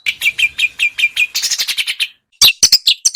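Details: Small birds' song used as training material to get a white-rumped shama singing: a rapid series of slurred, downward chirps speeding into a dense run, a brief pause, then loud high whistled notes.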